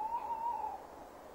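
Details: Male tawny owl at its nest box, 17:10 on 15 December 2015, calling while waiting for the female; one clean, low, level hooting note lasting under a second, then quiet background.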